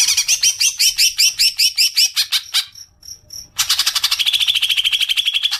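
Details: Greater green leafbird call meant to lure long chattering: rapid harsh rattling notes, a short gap with faint ticks, then a dense fast trill of scratchy repeated notes.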